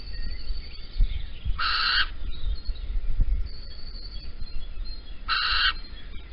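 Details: Dawn recording of a little owl at Holten, 16 April 2020, the male carrying a caterpillar with the female not home; two loud, rough screeching bursts about four seconds apart against steady low background noise.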